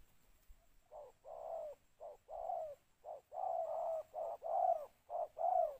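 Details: Calling Spotted dove used as a decoy to lure others, in the two-note coo style: deep, mellow coos in quick paired phrases, a brief note followed by a drawn-out one, repeated about four times, loud and clear.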